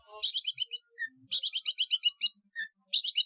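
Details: {'caption': 'Long-tailed shrike in trotol style, recorded for training competition birds: bursts of rapid, bright, chattering notes, each phrase about half a second long, separated by short pauses and a lone soft whistle.'}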